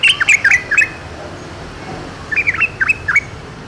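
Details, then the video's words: Wild yellow-vented bulbul singing: two short bursts of bubbly, liquid warbled notes, rising and falling quickly, separated by over a second of quiet with a faint steady background hiss. "KICAU TRUCUKAN DI ALAM LIAR"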